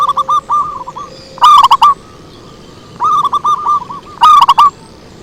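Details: Zebra dove lure song: rolling cooing phrases broken by two loud, distorted bursts of rapid stuttering coos.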